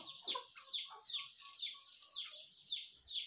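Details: Morning chirping from several small birds, quieter and a little distant, high scratchy notes coming in pulses about twice a second, with soft lower whistles between.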